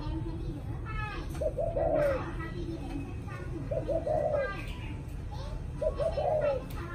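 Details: Three low cooing phrases from a spotted dove in the evening, each of brief stuttered notes leading into a longer soft coo, roughly every two seconds, with faint talking and children in the background.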